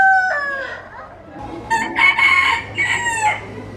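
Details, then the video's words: Rooster crowing: a harmonic call falling in pitch, then a louder, broken crow with rich upper harmonics after a short pause, over a low steady hum. "Diferentes Galos cantando - Galo cantando - Som do galo"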